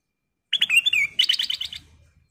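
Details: Golden bulbul calling as a lure to set others singing: slurred descending whistles followed by a rapid run of about eight bright, bubbly chirps that fade out.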